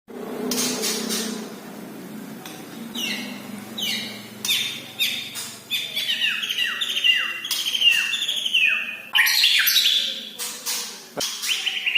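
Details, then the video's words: White-rumped shama of the Medan type in full song: a rich, varied run of loud whistled phrases and sharp chirps, many sweeping downward, delivered in quick bursts with short pauses, some notes high and ringing. "Burung murai batu medan gacoran"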